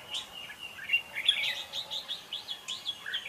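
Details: Competitive song of a red-whiskered bulbul, played as a lure to trap and train birds: bubbling slurred whistles in quick uneven bursts, upswept and downswept notes tumbling together above a constant high background tone.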